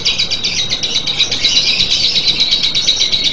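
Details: Lovebird in a long ngekek, a fast, slightly rough rattling trill of high buzzy notes pouring out continuously, with a light low rumble behind it.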